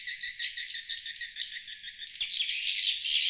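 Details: Lure calls of swiftlets: a pulsed, trilling twitter repeated roughly twice a second, then switching abruptly to a denser, louder hiss-like chatter.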